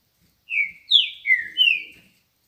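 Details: Morning song of a trinca-ferro, the green-winged saltator: four strong whistled phrases in quick succession, each slurred and falling in pitch, the second highest, in a quiet setting.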